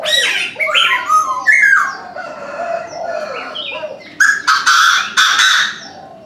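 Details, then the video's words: A Chinese francolin calls at dawn with harsh, rapid notes stepping downward in a rolling phrase, then a few loud broad bursts; scattered chirps of other birds fill the background. "Chim đa đa gáy sáng"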